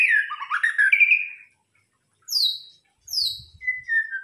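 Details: White-rumped shama song used as a 'pancingan' to provoke other shamas into singing: a rich, warbling whistled phrase, then a pause, then high thin downslurred notes and a clear falling whistle, with faint low rustles.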